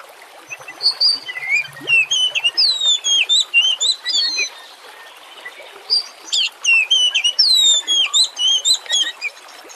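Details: Oriental magpie-robin singing a lure song meant to spur other birds into full song: a dense, varied stream of bright whistles, twisting slurs and chirps, with rushing water behind.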